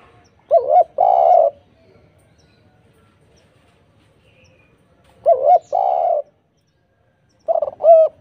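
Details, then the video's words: A spotted dove coos in a lure recording intended to make other doves respond. A short warbled coo and a longer mellow note repeat about every five seconds, with a third phrase starting at the end. "PANCINGAN TEKUKUR gacor suara merdu"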